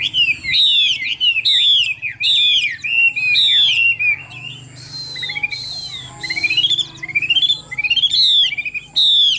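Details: Strong, varied song of a caged Chinese hwamei, Vietnam: rapid whistled phrases rising and falling in a steady stream, briefly broken by a softer patch with a hissy noise before loud upward-sweeping whistles resume.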